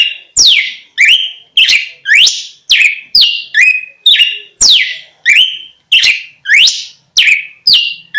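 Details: Red-cowled cardinal song used as a lure to draw wild birds closer: loud, rapid series of sharp sweeping notes, some rising and some falling steeply, about two per second, with clean silent gaps and no other sounds.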